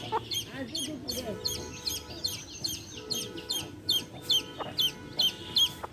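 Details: Baby chicks chirping near their hen: loud, high, downslurred peeps in a steady run, with a few low clucks early on.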